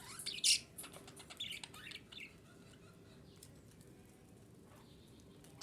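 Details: Female budgerigar chattering, sound meant to bring budgies into breeding condition; a quick series of scratchy chirps and one sharp squawk in the first two seconds, then near silence with a faint distant call.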